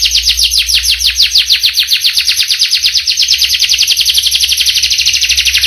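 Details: Canary singing in a long rolling song: a fast, steady series of high trilled notes repeating without pause, each note sweeping downward, with a faint low hum underneath.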